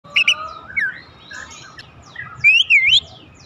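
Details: Oriental magpie-robin song used to provoke other magpie-robins into singing: a clear whistled note, then looping slurred whistles that rise and fall, ending in a loud two-part warbled phrase over faint low background hum.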